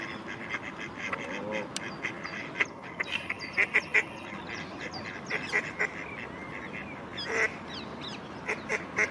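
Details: Female mallard calling at Strandbad Blies, a bathing beach in Ludwigshafen am Rhein, Germany; short harsh nasal quacks come in scattered bursts, with a loud cluster near the middle, over a steady background hiss.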